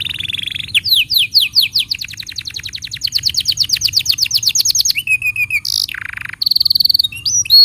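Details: Canary tutor song for young and silent canaries: a long fast trill of repeated sweeping notes, followed by a buzzy steady trill, a brief harsh burst and a final rapid high trill.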